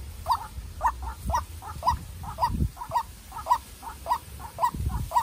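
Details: Young decoy White-breasted Waterhen facing a wild bird in a heated contest: loud hoarse notes repeated about twice a second, each followed by a softer echoing note, with low rumbling handling thumps beneath.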